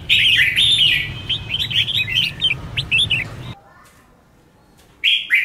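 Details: Red-whiskered bulbul in heated competitive song: fast chains of sweet whistled and chirped notes for several seconds, a sudden quiet stretch, then the warbling resumes briefly.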